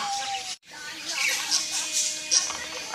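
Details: A common hill myna at Goun Botanical Garden, Cheongyang, South Korea, in 2014, greets with Korean "annyeonghaseyo" (hello) in harsh, high, breathy short phrases with brief pauses between.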